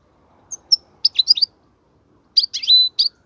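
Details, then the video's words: European goldfinch sound for teaching young goldfinches: a few soft chirps, then two clusters of twittering notes, one ending in a sustained whistle. "افضل نصف ساعة تغريد الحسون , لتسميع الفراخ"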